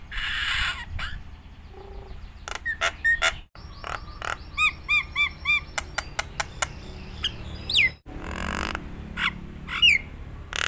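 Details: Nias hill myna lure song for training mynas: harsh noisy phrases, clicks and short whistles, a run of five arched harmonic notes, then down-slurred whistles, with abrupt breaks between sections.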